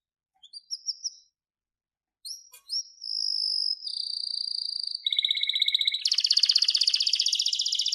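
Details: Canary song opening with a few short whistled chirps, then long sustained whistled tones shifting step by step, ending in a loud, fast buzzy trill; high-pitched, clean, without background noise.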